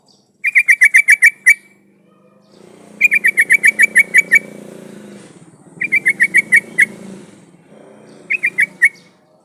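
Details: Actively singing yellow-vented bulbul (trucukan), recorded as a lure to draw calls from other bulbuls: four bursts of five to ten quick, clipped notes over a steady low background rumble.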